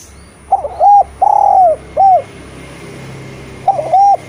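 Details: A Eurasian collared dove recorded as a training call for lazy spotted doves delivers one full three-part coo, short, long and falling, then clipped, before starting the next phrase at the end.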